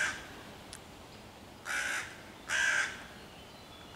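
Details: Hooded crow mobbing young raccoons hiding in tree foliage near their den, 11 June 2023, calling to drive them away: two hoarse, drawn-out caws about a second apart over quiet background.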